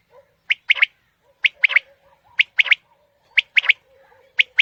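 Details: Morning hunting lure call of quail: loud, clipped triplets, one note then a rapid pair, about one phrase per second, over a faint low steady hum.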